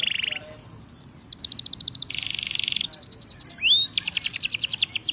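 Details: Male canary singing vigorously: a buzzy low trill, then fast rising-and-falling whistled rolls, rapid high clicking trills, a harsh buzzy burst, one upslurred whistle, and dense repeated high notes to the end.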